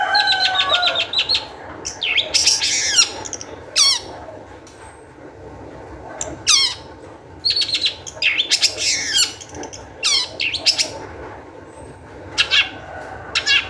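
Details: Long-tailed shrike in energetic song played to spur other shrikes: opens with rapid repeated ticking notes over a lower whistle, then irregular bursts of harsh chatter and falling squeals separated by short silences.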